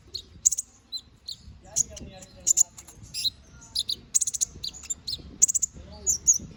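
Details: Canary 'gacor ngobra' song used as master for magpie robins: high chirps, twittering notes and rapid chattering bursts in uneven groups, some notes dipping lower, over a soft low background.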